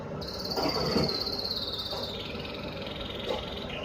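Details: Red factor canary singing in an exhibition: one long, high, sustained rolling trill that holds steady then drops slightly in pitch, with faint softer notes beneath and a quiet hiss in the background.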